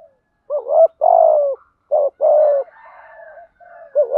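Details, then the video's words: Male and female spotted doves calling to draw rival birds to fight, giving two pairs of low rounded coos, each a short note then a longer one, with faint chatter behind and a new coo starting at the end. "cu gáy thúc gù gáy gọi bổi nghe rất nhanh về cội đấu"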